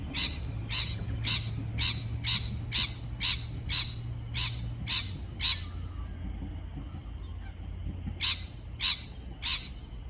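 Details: Parrot calling in a quick train of about eleven rasping chirps, then a pause of several seconds before three more, with a steady low hum throughout.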